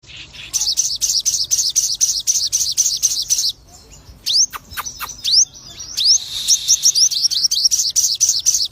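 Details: Lutino crested jay (sogon), a keen singer with fighter temperament, singing nonstop: rapid, evenly repeated high chattering notes, a brief pause, then sharp rising whistled sweeps, followed by more fast repeated bright notes.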